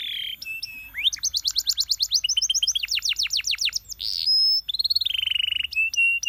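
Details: Canary singing a varied song: a rising whistle, then rapid trills of descending sweeps, a long steady high whistle, and a fast buzzy rattle ending in clear repeated notes.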